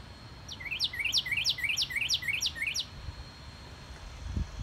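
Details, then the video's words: Yard northern cardinal in March 2019 delivering a rapid series of about eight bright whistled phrases, each a rising slur ending in a steep downward sweep, ending abruptly, followed by quiet with faint low rumble. "Our Yard Cardinal Sings"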